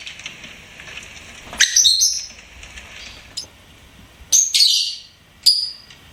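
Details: Pet lovebird chirping: a few sharp, high, buzzy chirps in separate bursts, with a long thin high tone before the first burst and quiet gaps between calls.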